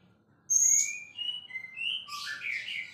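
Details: White-rumped shama, a champion murai, singing a high piercing whistle followed by several clear slurred notes and a rich rising jumble of phrases.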